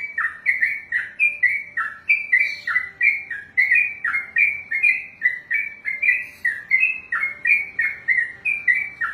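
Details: Trucukan (yellow-vented bulbul) performing a sustained 'ropelan' song, a long, fast stream of bubbly whistled phrases repeated without a break, around three per second, with a faint background hum.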